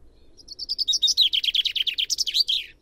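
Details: A loud, close common chaffinch song: a cascade of about twenty fast notes sliding downward in pitch, accelerating into a rattle, and finishing with a flourish at the end; little background noise.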